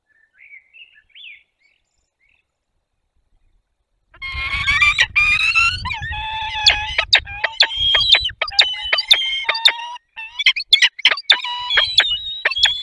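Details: Peregrine falcon with a bat, recorded on 4 May 2021 in the Barycz Valley. Quiet for four seconds, then harsh, strongly harmonic wailing calls that break into a rapid series of sharp, clipped notes repeated about twice per second.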